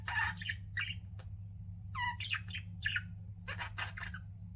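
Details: Chattering of pet budgies, a mix of raspy squawks and short warbled notes in uneven bursts over a constant low hum.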